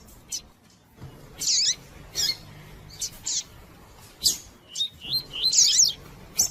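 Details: Calls of a female White-collared seedeater, used to warm up and provoke a male's song; sharp high chirps and rough, trilled bursts spaced irregularly, over a faint constant low hum.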